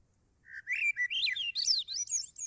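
Swainson's Thrush song: a series of flute-like phrases climbing upward in steps, each swirling higher than the last, ending in thin, high notes.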